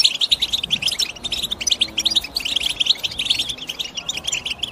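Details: Busy chattering of European goldfinch, made of fast clipped chirps in rolling bursts, several birds overlapping in a steady bright chorus.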